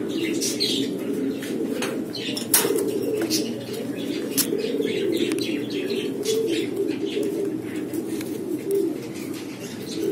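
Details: Barless blue Lahore fancy pigeons, a domesticated breed descended from the rock pigeon, keep up a continuous low rolling cooing chorus from several birds, punctuated by sharp wing flaps and scuffling clatters throughout.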